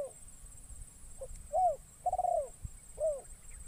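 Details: Spotted dove decoy cooing in forest to lure wild birds. One phrase: a short note, a rising-falling coo, a long tremulous coo, then a final curved coo, soft and low. A high steady hum and a faint click occur.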